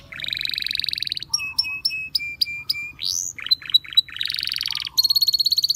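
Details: Wild canaries singing a varied high song: buzzy rolling trills, a row of clipped chip notes, a rising swept whistle, short stuttering phrases, and a final fast pulsed trill, each section switching abruptly to the next.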